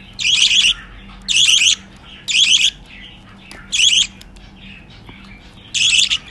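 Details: Budgerigar chicks, six babies being hand-fed formula indoors, making harsh raspy begging bursts about half a second long, repeated roughly once a second with short pauses between.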